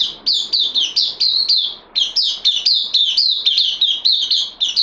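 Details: Loud, lively bulbul song from a bird newly on loan, 12 September 2020: fast chattering strings of liquid whistled notes, each slurring downward. Two bursts are split by a brief pause.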